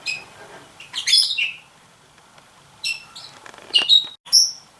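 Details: Red-rumped parrot near a nest box, the female inspecting it and putting her head inside while the male sits beside her. Two bursts of loud, sharp, high chirps and clipped whistled notes, with a brief pause between the bursts.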